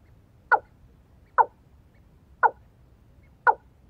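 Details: A Watercock lured with a female decoy bird gives four short, hollow, mid-pitched notes, about one a second, over a low background rumble.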